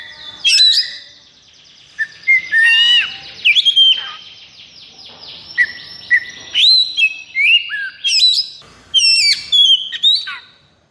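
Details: Caged Oriental magpie-robin in high breeding condition sings mixed whistles, short chirps and sweeping slurs in spaced phrases, with a steady faint hiss underneath.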